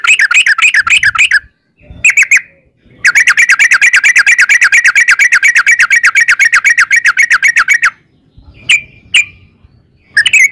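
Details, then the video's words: Yellow-vented bulbul delivering an extended 'ropel panjang' trill as a lure: short bubbly bursts, then almost five seconds of fast, steady repeated notes, followed by two lone chirps and a final burst. "trucukan gacor ROPEL PANJANG buat pancingan trucukan agar bunyi"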